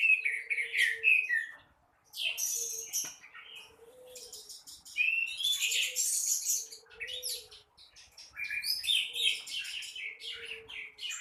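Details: Orange-headed thrush sings nonstop in the morning in gacor teler style, with varied chattering, trilled and whistled phrases, while a low soft cooing repeats about every second and a half in the background.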